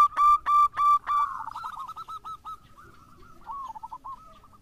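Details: Local zebra dove in full song, used as a lure recording: four loud, clear ringing notes open, then a softer fast run of short cooing notes, with other doves faintly answering.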